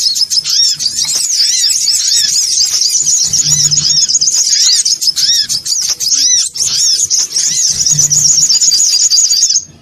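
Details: Songon otong bird call used as a lure, the noisy version: unbroken high-pitched chatter of rapid chirps, repeated slurred notes and a steady buzzing trill layered together, ending abruptly.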